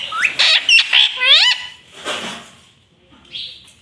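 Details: Green parrot at home producing talking sounds: a fast run of five or six nasal syllables with curved, swooping pitch, then a breathy squawk and a faint short note.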